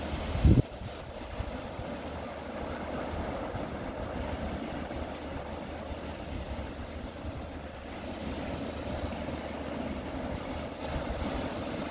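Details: Steady low rumble of wind and surf with a brief thump near the start; no calls can be picked out.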